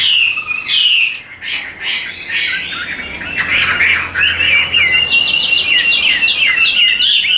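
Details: Caged hwamei singing a rich run of varied whistles, warbles and rapid trilled notes, loud and continuous after a brief dip, with faint low background hum.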